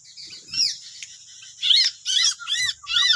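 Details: Sooty-headed bulbuls in West Lampung, wild birds responding to one decoy bird set out for trapping: loud, arching chirps, each sweeping up then down, given in quick succession, with faint rustling underneath.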